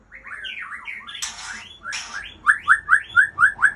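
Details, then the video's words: White-rumped shama of the Aceh type giving warbled whistles broken by two harsh rasping bursts, then a rapid series of six loud, identical rising whistled notes about five per second. "Murai Aceh Anak Balak"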